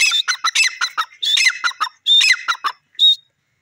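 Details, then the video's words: Grey francolin calling: loud, harsh, rapid notes in bursts mixed with clear high whistled phrases, roughly a dozen notes in under four seconds, ending on a single whistle, with silence between bursts. "jungli teeter calling,grey francolin ki beautiful voice"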